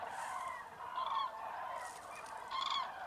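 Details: Common cranes in a vast roost at Tablas de Daimiel, Spain, calling as a foggy mid-January dawn breaks. Loud rolling trumpet calls come twice over a continuous background chorus from the flock, with greylag geese and teal nearby.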